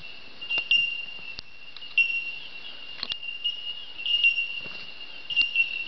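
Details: Bellbirds in an Australian forest at dawn, in the treetops, give a steady, ringing chorus of high, bell-like tinks that blend into one continuous chime, with soft clicks and faint rustles.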